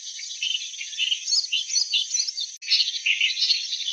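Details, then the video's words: Clamorous reed warbler singing a continuous run of harsh, chattering notes mixed with brief whistles, with one short break near the end and no other clear sounds. "Sound of Clamorous Reed Warbler"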